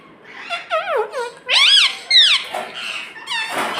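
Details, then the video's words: Pet parrot that speaks the word "mummy". A series of quick, squeaky, bending vocal notes rises to a loud arching phrase, then turns into scratchier sounds. "Mummy bolne wala tota - Talking Parrot"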